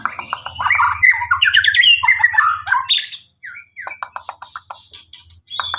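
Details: White-rumped shama delivering a rich, fast medley of whistles, rattling phrases and scratchy bursts, then sparser clicks and short notes, with a low droning hum beneath.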